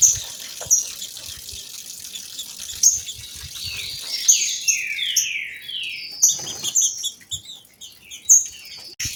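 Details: Two female green-winged saltators singing, used to stir males into song: slurred, descending whistled notes in quick series, sharp high ticks repeated throughout, over a steady background of waterfall noise.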